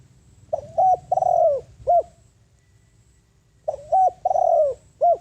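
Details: Ground lure spotted dove cooing to call in wild birds: two clear phrases of mellow hoots, each a brief coo, a doubled note, a long descending coo and a clipped final note, spaced about three seconds apart.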